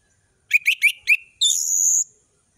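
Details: Orange-headed thrush in full, varied ngeplong-style song: four quick rising whistled notes, then a long level high whistle that briefly splits into two pitches. Background is quiet.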